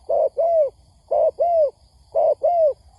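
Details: Spotted dove lure recording for trapping: three paired coos, each a short hoarse note followed by a longer falling coo, spaced about a second apart.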